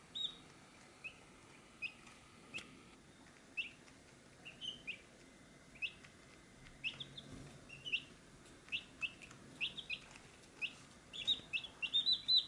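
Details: Chicks gathered at a feed dish give high, thin, downslurred peeps. They come singly at first, then grow denser and louder toward the end, over a soft background hiss.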